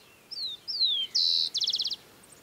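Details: Rufous-collared Sparrow singing in woodland meadows on Isla Teja, Valdivia, Chile, in January summer: two clear descending whistles, a sustained high note, then a quick trill of about six notes.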